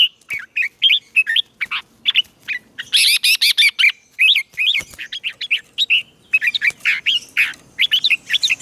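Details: Decoy red-whiskered bulbul singing to call rival bulbuls in to fight: loud, rapid, chattering series of clear, liquid whistled notes, some rising and falling, delivered almost without pause, with a denser buzzy burst near the middle.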